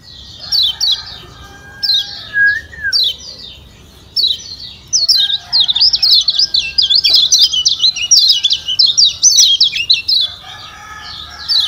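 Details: Kecial kuning, the Lombok white-eye, giving 'ciak ciak' calls meant to get a lazy bird singing: scattered sharp high chirps, then a dense, fast run of twittering notes in the second half, over faint lower whistles.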